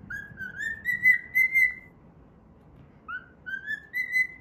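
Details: Pet cockatiel whistles a learned tune, the Pythagora Switch opening theme, while playing. Smooth ascending notes end in a held whistle, then a pause, then the phrase starts again amid low household hum.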